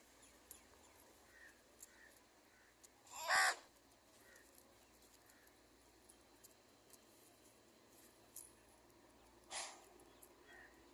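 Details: Wild crows, with a baby crow being fed and angry crow calls. Two loud, harsh, raspy calls stand out, one near the start and another several seconds later. Between them is a quiet outdoor background with faint, scattered chirps.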